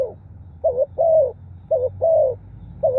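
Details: Spotted dove giving its cooing call, meant to draw in wild birds: soft, low, hollow coos in a short-long pattern, a brief note followed by a drawn-out one, repeated about every second with a faint low hum behind.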